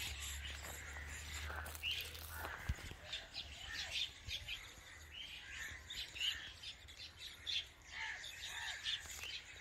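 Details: Baby common myna making noises: repeated harsh, scratchy chirps and squeaky notes in uneven bursts, with low rumbling background noise and a few clicks.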